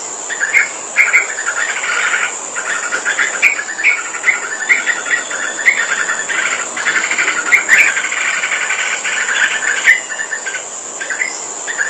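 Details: Sooty-headed bulbul in full song, pouring out long bursts of rapid bubbly chirps with brief gaps between phrases, under a continuous shrill insect-like drone.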